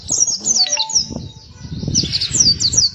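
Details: Pleci (white-eye) uttering a quick string of high, thin descending whistled notes, with a low murmur of background noise underneath.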